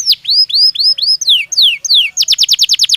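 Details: Belgian canary song: arched whistled notes repeated about four per second, then long downward-sliding whistles, ending with a fast run of short high notes.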